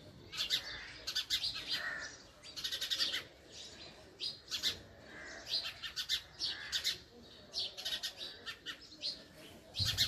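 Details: Female house sparrow calling: harsh, broadband chirps in quick bursts of two to five, repeated about every half second to a second across the clip, with brief quieter gaps; no other clear sounds.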